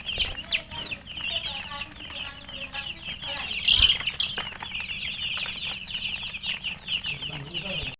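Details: Chicken chicks peeping nonstop in a high-pitched, busy chorus, with a brief flutter or scuffle near the middle and faint low background hum.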